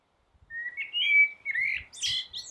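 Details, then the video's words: A common blackbird sings from a roof, a steady flute-like whistle swelling into rolling, warbled notes and finishing in a bright, high chattering twitter. "Blackbird singing"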